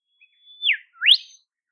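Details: Olive whistler in temperate forest of southeastern Australia, calling in the wild: a long level high whistle sliding down, then a brief gap and a sharply rising whistled upslur, two notes in under a second.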